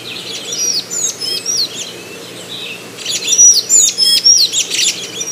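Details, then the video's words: Two bursts of thin, squeaky, high chirping and short sliding whistles from a Golden-chevroned Tanager, a Brazilian tanager of the south, southeast and Bahia, separated by a brief pause, with low background noise. "O canto do Sanhaço de Encontro amarelo ( Thraupis ornata )"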